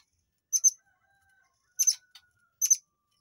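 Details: Murai air calls used as training material for white-rumped shamas: three clipped, very high double notes spaced about a second apart, with a faint level whistle behind.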